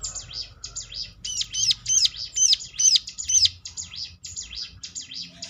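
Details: Bar-winged prinia song used to bait other prinias into answering: thin buzzy notes open and close a fast series of bright, high, arched chirps, roughly two each second.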